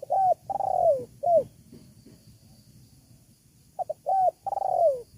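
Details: Spotted dove cooing used to call in wild doves: soft, low phrases of brief coos around a drawn-out, downward-sliding coo, with a pause of about two seconds between phrases and a faint background hiss.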